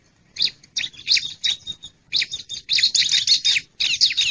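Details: Bar-winged prinia lure call used to attract wild birds: dense bursts of sharp, high chirping notes in rapid clusters, with short pauses between phrases.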